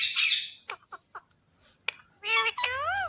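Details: Pet Indian ringneck parakeet, a talking parrot, giving a harsh screech, a few short clicks and chirps, then loud warbling whistled notes sliding up and down with speech-like phrasing.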